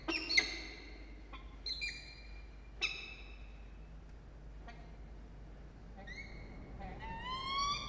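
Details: Peregrine falcon at a breeding nest box atop a water tower at Charles Sturt University near Orange, New South Wales, Australia, late November afternoon: scattered sharp chipping notes, then a drawn-out rising, whining call at the end over low background hum.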